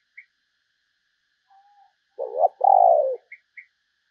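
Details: Spotted dove used as a decoy to lure other doves, giving a thin soft note, then a loud low coo in two parts, a stuttered short note and a longer mellow coo, with faint high chirps around it.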